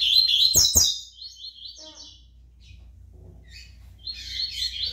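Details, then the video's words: Double-collared seedeater in brown plumage opening with a loud burst of rapid, chattering warbles. Two sharp knocks follow, then softer buzzy trills, scattered thin notes, and a renewed scratchy flourish at the end. "COLEIRO PARDO CAPONE SOLTANDO CANTO"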